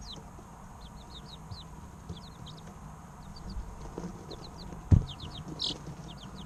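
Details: Several three-week-old chicken chicks chirp in steady streams of short, high, descending peeps; one sharp knock sounds near the end over a quiet low hum.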